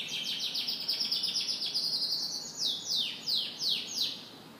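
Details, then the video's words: Morning song of a canary, a rapid rolling trill of high chirps that shifts into slower repeated downward-sweeping notes, about three per second, clear over light background hiss. "Canary Morning Singing"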